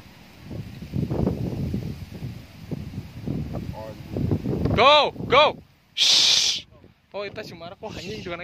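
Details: People talk for the first few seconds, then a Javan red-breasted parakeet flying free gives a run of loud, nasal, arching squawks and one harsh rasping screech.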